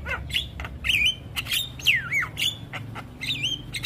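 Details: Javan myna master song for training young mynas: squawking, harsh notes mixed with looping, wavering whistles that swoop down and up, given in quick bursts.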